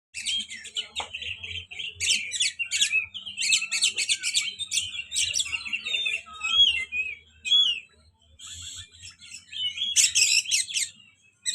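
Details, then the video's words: Magpie-robin in song, a bird kept and groomed as a contest prospect; dense bursts of rapid high chattering and buzzy notes alternating with clear whistled slurs, delivered in quick rambling phrases with short pauses. "KACER Pastol Calon Juara"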